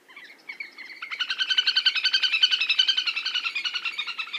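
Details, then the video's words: A little grebe gives a long, rapid, high whinnying trill, about ten notes a second, building in strength after a brief softer start. "Little Grebe Bird Call | little grebe sound"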